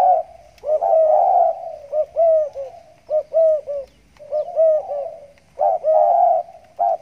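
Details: Spotted dove (tekukur), 'gagap' stutter-style singer, calling in its hanging cage right after a bath; soft low coos in clipped stuttering groups alternate with longer warbled rolling phrases, repeated steadily.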